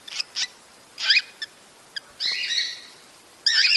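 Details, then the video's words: Cockatiel mating call used to encourage breeding: harsh, screechy rising calls rich in overtones, given in short bursts and one longer drawn-out note, with a faint background hiss. "صوت تزاوج الكوكتيل لتحفيزها"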